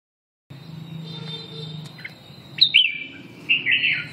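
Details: Red-whiskered bulbul singing: a steady low hum and a faint high tone first, then two bursts of bright, warbled whistled phrases near the end, each lasting under a second.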